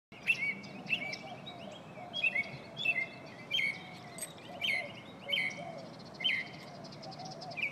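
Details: A Northern mockingbird sings bright, varied chirps and whistled phrases in spring, about one or two each second, over a low background hum.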